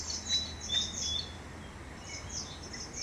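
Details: A male Grey-chinned Minivet in Malaysian sub-montane forest, Pahang, November 2023: thin, high, sibilant notes, scattered and overlapping as if from several birds, with a brief whistle and a low steady hum beneath.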